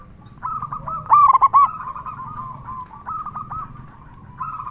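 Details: Local zebra dove with a big voice, calling actively, used as a lure to prompt other zebra doves to sing and stir their breeding urge. It gives a run of rapid, tonal, stuttering coos, loudest in a quick burst, then softer repeated phrases.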